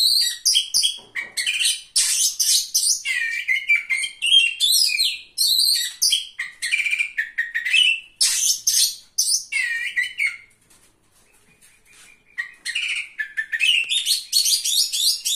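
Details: Oriental magpie-robin at a singing competition, third-place finisher, pouring out a long, varied song of rapid whistles, trills and sharp high notes, with a brief quiet pause before the song resumes strongly.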